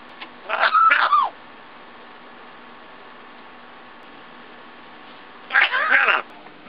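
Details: A 1.5-year-old female African grey parrot, talking and learning new words, gives two short, wavering, meow-like vocal bursts about four and a half seconds apart, with quiet room hum between them.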